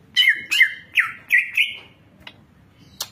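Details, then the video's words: Champion greater green leafbird (cucak ijo) in a full-fill training song: five loud, slurred whistled phrases in quick succession, each sliding down and leveling off, followed by two short sharp clicks. "Masteran Cucak Ijo Full Isian Burung Juara"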